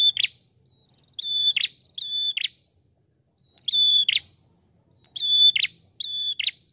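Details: Prinia with a red head, singing a long drawn-out lure song meant to set other birds singing: six high, steady whistled notes, each closing in a short buzzy burst, in irregular pairs with gaps between.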